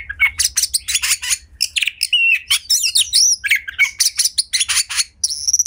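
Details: White-rumped shama song used to prompt other shamas to sing: dense, fast stream of sharp chirps, clicks and varied whistles, loud and continuous with brief gaps.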